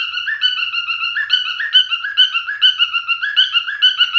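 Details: Male cockatiel sings a continuous warbling whistle that wavers up and down in small steps, with quick pulsing notes throughout.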